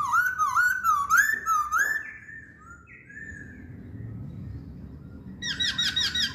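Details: Chinese hwamei delivering a rolling series of wavering whistles over about two seconds, a quieter drawn-out whistle, a pause, then a burst of rapid high chirpy notes.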